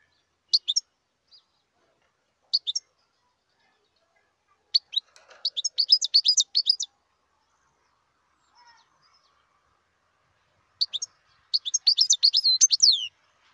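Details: Wild European goldfinch singing in bursts of rapid, high, liquid twittering notes, separated by short pauses, with a few isolated chirps between phrases and a final long jangling run.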